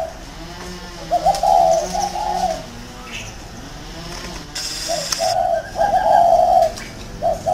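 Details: Decoy spotted dove kept in a round cage, cooing in two separated phrases of soft, hollow notes, each closing on a sustained note. A faint low hum and a brief hiss sound between the phrases.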